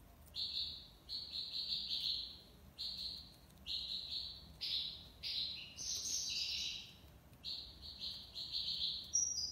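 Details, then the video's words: Maqnin, the European goldfinch, singing a sustained tiwawati libasad style song: about a dozen quick buzzy, twittering phrases with liquid trills, climbing higher midway before returning to nasal bursts. "مقنين(حسون) تيواواطي ليباساد"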